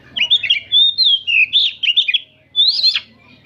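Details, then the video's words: Oriental magpie-robin song from a gathering of birds in the afternoon, meant for training; clear sweet whistled phrases, slurred and warbling, in two bursts separated by a brief gap. "Kicauan kacer ombyokan bahan disore hari"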